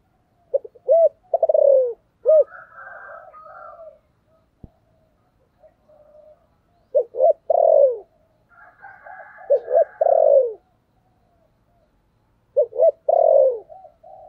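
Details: A spotted dove (Spilopelia chinensis) gives soft, low hooting calling coos in short phrases separated by brief pauses.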